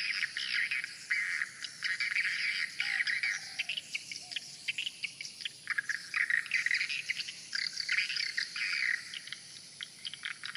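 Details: Many swiftlets fly around the main entrance hole of a swiftlet house, giving dense, overlapping, high chirps and twitters in quick continuous bursts, with a faint low whistle near the start.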